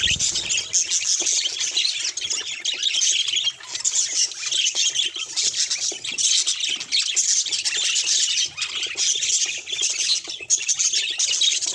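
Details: Pet budgerigar chattering for about twelve seconds in a harsh, grinding stream of rapid high notes and squawky chirps, pausing briefly twice before carrying on.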